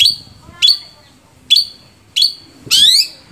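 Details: Long-tailed shrike, kept as a captive bird in Indonesia, singing short harsh notes that drop in pitch, repeated at uneven intervals about every 0.7 seconds and ending in a longer, rising, buzzy phrase.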